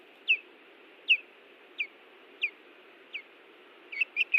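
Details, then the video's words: Ospreys defending their nest at Hellgate Canyon, Missoula, Montana, on June 18, 2017: short sharp whistled chirps, each dropping in pitch, given about every 0.7 seconds, then a quick cluster of three near the end. "Sounds of Iris and Louis Defending The Nest"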